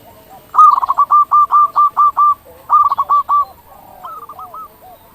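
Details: Local zebra dove singing actively, used to lure other zebra doves into calling: a rapid burst of about nine clipped, cooing notes, then a shorter run of five, and a faint answering phrase from another dove.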